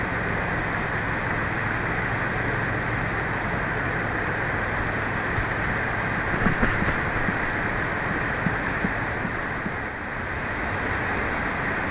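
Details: Steady broadband rushing noise, like wind or distant traffic, with no animal sounds.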